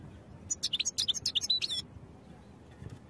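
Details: European goldfinch singing, recorded for song training: a quick run of bright, high twittering notes lasting just over a second, mixing sharp chirps with slurred tinkling syllables, then a pause with soft low background hum.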